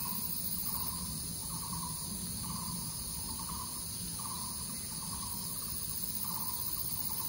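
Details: Crested goshawk at Zhushan, 17 September 2018, giving evenly spaced short nasal notes, roughly nine in seven seconds, against constant high-pitched insect drone and low background rumble.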